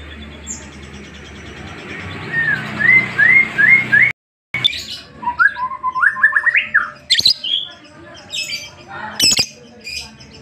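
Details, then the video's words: Lovebird singing in the ngetik style, a series of quick repeated chirps and rising-falling whistled notes around the mid range, with a brief dropout, then buzzy, harsher squeaks and sharp high chips toward the end. "LOVE BIRD NGETIK"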